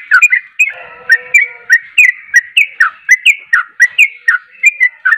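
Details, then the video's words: Yellow-vented bulbul chattering persistently in a fast, bubbly run of mid-pitched liquid notes, about three per second, with a brief lower buzzy trill near the start. "trucuk anda pasti langsung nyaut gacor dengar trucuk ini"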